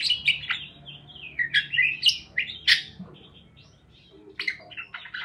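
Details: Parakeets chirp in a lively warble meant to coax lonely parakeets into chirping: a dense burst of sharp chirps and twisting notes, a quieter pause with soft murmuring, then renewed clipped chirps.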